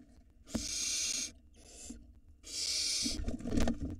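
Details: Young barn owl at the entrance of its nest box in Israel, filmed by a 4K nest cam in 2022, giving two long rasping hisses with a short fainter one between, plus scraping and knocking noises.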